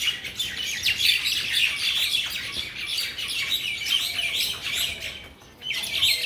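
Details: Village mynas from Bangladesh chirp and squawk in a busy, overlapping chorus of short whistles and harsh notes. A brief lull comes near the end before the calling resumes.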